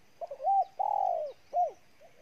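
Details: Intense cooing of a wild-caught spotted dove from Ninh Thuận, Vietnam: short lead-in notes, then a long, low, mellow drawn-out coo and a final clipped coo, all loud and close.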